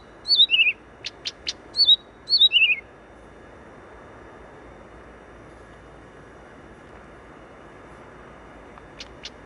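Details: Blyth's reed warbler near Warsaw's western railway station in Wola, Poland: a few short trilled, descending chirping phrases with high clicks, then near silence over low city noise, one faint click pair at the end.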